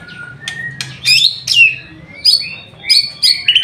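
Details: White-rumped shama singing hard during an afternoon bath. A low whistle leads into loud, high, slurred phrases that drop sharply, then a run of bright repeated notes and a rapid buzzy flourish.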